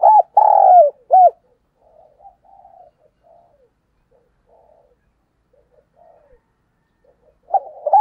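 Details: Spotted dove decoy bird giving its morning lure call to draw in wild doves: a loud phrase of arched, low, hollow coos opening the clip, then quiet faint notes, and the coos returning at the end.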